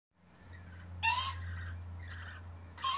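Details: Lorikeet parents and their young feeding on pear give two harsh, grating screeches about a second and a half apart, with softer chattering between them over a steady low hum.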